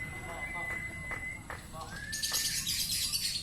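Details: Lovebird in 'konslet' style: a sustained thin whistle, then short clicky chirps, a brief rising slur and a dense stretch of rapid high chattering, with quiet human speech in the background.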